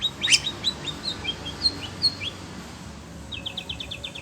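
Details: Kept Oriental magpie-robin (kacer), excited on hearing other birds, delivers a loud sharp note followed by brisk rising chirps, then a rapid rattle of short, evenly repeated high notes after a brief pause.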